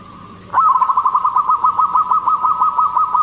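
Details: Local zebra dove of the Katuranggan Cendolo Sabdo type, a keen singer whose song is used to lure other zebra doves: after a half-second hush, a rolling series of rapid, evenly pulsed cooing notes runs steadily to the end.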